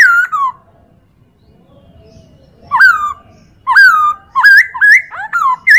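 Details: Chinese hwamei singing on a training recording for other birds: a falling whistled phrase, a long pause, then bursts of rapid, loud, rolling whistles that rise and fall.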